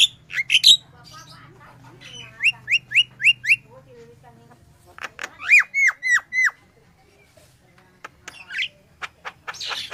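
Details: Crucukan, the sooty-headed bulbul, singing energetically as a lure sound; a quick series of five ringing notes, then a run of five downslurred whistles, with scattered clicks and soft chatter between.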